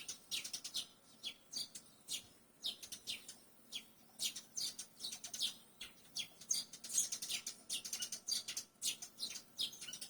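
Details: Barn swallow twittering: a dense run of thin, high chirps coming in clustered bursts, some doubled, steady throughout against a quiet background.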